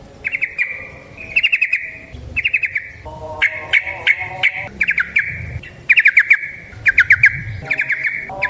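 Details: Yellow-vented bulbul in the wild delivering a long, lively song meant to draw other bulbuls into singing: irregular runs of quick bubbly chirps, each phrase lasting under a second, with brief pauses between them.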